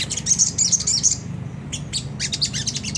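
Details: Sunda whistling thrush giving a rough 'ngriwik kasar' chatter meant to provoke caged birds into singing: a quick string of high metallic chips, a brief pause, then more scratchy rapid notes, over a constant low hum.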